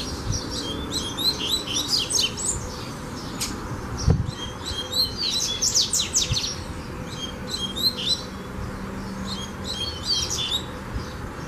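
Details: Double-collared seedeater (coleiro) singing during a 'fibra' training session: bursts of high, quick chirped and whistled notes in rapid series, repeated with short pauses throughout, over a steady low hum and background noise.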